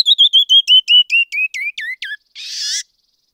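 Canyon wren song: a dozen clear whistled notes that slide steadily downward in pitch, ending in a harsh buzzy rasp.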